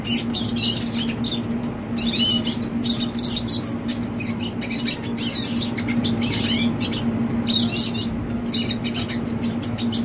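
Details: Young red siskin singing: bursts of high, thin twittering and chattered notes separated by short pauses, over a steady low electrical hum.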